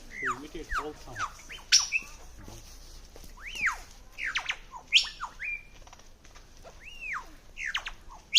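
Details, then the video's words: A lyrebird in Sydney mimics typing, kids' toy guns and various other birds: loud descending 'pew' sweeps, rapid clicks and bright whistles. A person briefly speaks. "lyre bird making sound of typing / kids toy guns and various other birds"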